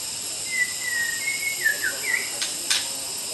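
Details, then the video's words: A wild white-rumped shama in forest in Kalimantan sings a flowing phrase of level whistles that ends in quick down-slurred and looping notes, followed by two sharp clicks, against a steady high hiss. "Kicau Burung Murai Batu Liaran di Hutan Kalimantan"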